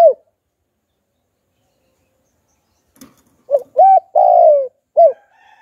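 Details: Spotted dove calling in the 'hạp bổi' style used to lure wild doves. A short coo at the start, about three seconds of silence and a faint click, then a full phrase of two coos, a long falling coo and a short coo.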